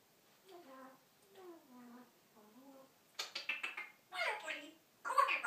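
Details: Pet African grey parrot Poly freestyle talking in Spanish: three short voice-like phrases in a speaking pitch, then rough, harsh bursts and squawky sounds in a small indoor room.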